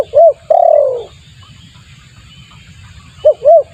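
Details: A spotted dove lure call for drawing in other doves: one short hooked coo, then a long, downward-sliding coo, then a quiet pause before two short arched notes begin the next phrase.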